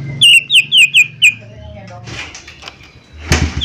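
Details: Lesser green leafbird (cucak ijo mini) in full song: a quick run of five loud, downward-slurred whistled notes with metallic overtones, then a pause filled with faint rustling and a knock near the end.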